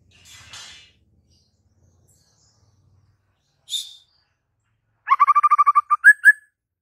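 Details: White-rumped shama song, used to stir a silent bird into answering and singing: a faint hiss, a single high thin note, then a rapid rattling series of repeated notes ending in a few rising whistles.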